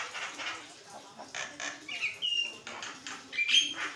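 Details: Javan myna singing nonstop as training material for other birds; scratchy, noisy bursts broken by a level whistled note in the middle and a sharp high whistle near the end.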